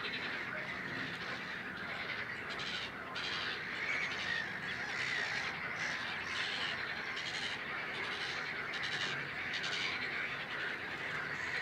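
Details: Great crested grebe, subspecies Podiceps c. cristatus, at Het Vinne, Zoutleeuw, Belgium, in May 2016; harsh, rasping squawks run on almost without a break, with buzzy bursts repeated through the clip against steady outdoor hiss.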